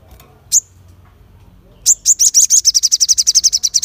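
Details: Sharp calling from a crested jay: a single high note, then after a pause a fast, even rattle of piercing clipped notes that runs for about two seconds.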